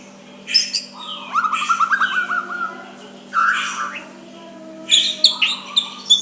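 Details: White-rumped shama giving soft song to make a rival answer back. A rapid rattling trill of repeated notes, then a pause, then bright separate whistles and chips, with a low hum throughout.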